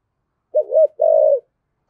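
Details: A single coo phrase from a spotted dove in 'giọng thổ' style, a quick wavering double note followed by a long, steady, gently falling coo, used to draw other doves into cooing.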